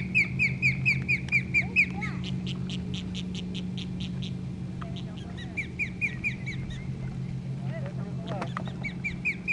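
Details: Nesting osprey in South Florida, with kayakers close by: runs of sharp, rising whistled chirps about twice a second, then a short break and more chirps, over a steady low engine-like hum.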